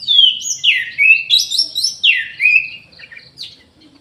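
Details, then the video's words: Orange-headed thrush singing in an aviary: loud, varied whistled phrases that slur downward, with sweeping notes repeated every half second or so, followed by softer scratchy notes toward the end. "ANIS MERAH GACOR"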